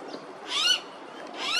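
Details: Blue-faced honeyeater at Coomera River Causeway, Gold Coast, Queensland; two loud, harsh, rising calls with strong harmonic overtones, about a second apart, over quiet background.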